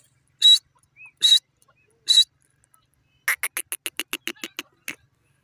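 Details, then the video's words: Grey francolin giving three harsh, ringing notes about a second apart, then a rapid run of about a dozen short, clipped notes in under two seconds, ending with one isolated note; otherwise quiet. "grey francolin sounds 29mint teetr awaaz"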